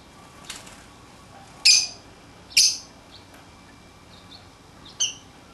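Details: Newly acquired pet lovebirds playing outside their cage: a few sharp, high squeaky chirps spaced about a second apart, with faint softer twitters between them in a quiet room.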